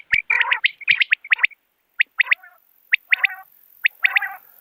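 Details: Common quail calling, a clear natural recording used by hunters to lure birds: sharp three-note phrases of short liquid notes, repeated about once a second, with a rougher, clicky burst of notes at the start.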